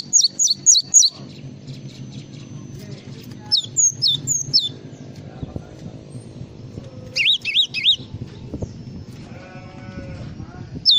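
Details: Full isian song of a Java sparrow: a fast group of four high down-swept notes, scattered chirps, then a burst of wavering trilled notes. A low hum and faint voices run underneath.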